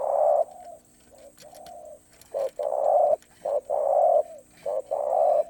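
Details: Spotted dove singing in the Thai karom pa roi style: deep, hollow coos in repeated phrases, each a short note followed by a longer drawn-out coo, with a faint clicking in the background.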